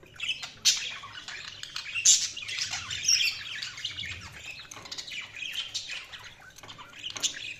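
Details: Budgies chatter in bright, scratchy twitters, with sharp squeaks near the start and around two seconds, then a steady, softer run of chirping.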